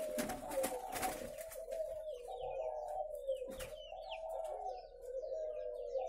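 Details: Spotted doves kept on a breeding farm in Ba Vì district, Vietnam, coo in a dense overlapping chorus, while small birds add quick high slurred chirps and a few sharp knocks are heard.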